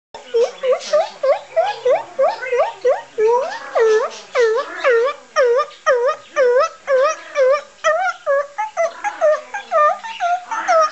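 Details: A cockatoo that has just seen his carrier and knows a vet trip is coming gives a fast, insistent run of loud, arched, nasal notes, some almost speech-like, about two per second with brief pauses, in a small room.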